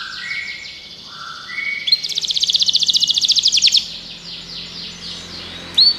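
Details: Canary singing, played to prompt another canary to sing. Soft whistled slurs give way to a bright rapid rattling trill lasting about two seconds, then quieter repeated phrases over a low background hum.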